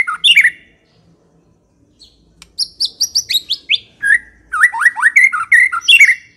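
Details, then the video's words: White-rumped shama in full song, aimed at getting shamas to reply and sing: a sharp opening phrase, a pause, then a run of descending high notes and energetic rising whistles. "80% COCOK untuk memikat murai batu AGAR LANGSUNG NYAUT dan GACOR"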